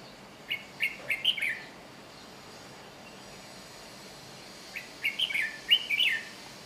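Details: Red-whiskered bulbul in Chiang Mai, Thailand: two bursts of short bright chirping notes, a quick cluster of warbled syllables near the start and another after a pause, over a faint steady insect hiss.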